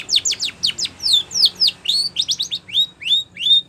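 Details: Training song of a Spanish Timbrado canary: quick descending whistled sweeps repeated in bursts, shifting to rising and upslurred notes, steady and loud over faint low hum.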